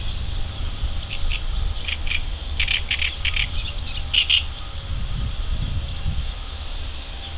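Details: Mallard ducklings on a river in May, swimming while searching for food; a run of sharp, high-pitched peeps repeated rapidly in the middle, over constant low rumbling background noise.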